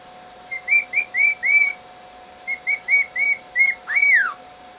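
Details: Male pet bird showing off for his mate with two runs of about five short upslurred whistles each, ending in one loud downslurred swoop.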